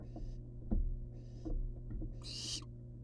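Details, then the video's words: Wild barn owl young outside their nest box give soft breathy hisses, then one loud harsh hiss at the end. Scattered knocks and a thump are heard, with a constant low hum. "Barn owl nestlings hang outside of box."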